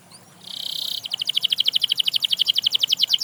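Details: Canary encouraging other canaries to sing: a soft start, a half-second buzzy tone, then a fast, regular rattle of bright high notes at about eight per second.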